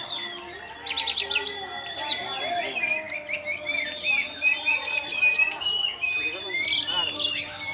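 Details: Orange-headed thrush in the 'Tarantula' teler style, used as a lure to coax other thrushes into singing: dense, rapid, varied high whistles and chattering trills with sweeping notes, alongside steady faint background tones.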